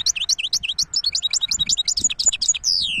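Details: Hybrid European goldfinch in full song: a quick, lively stream of high, liquid twittering notes, about eight per second, ending in a longer drawn-out downslurred note.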